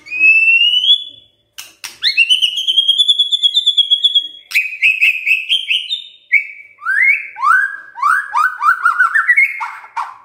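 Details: White-rumped shama song played in the morning to rouse silent shamas: a long pure rising whistle, sharp clicks, a sustained bright trill, then descending and rising whistled phrases.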